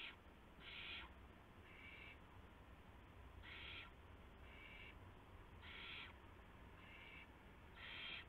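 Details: Owl at the nest with prey, a gopher, at 1:00 AM on March 24, 2016; paired harsh rasping hisses, a loud one followed by a softer one, repeating every two seconds or so.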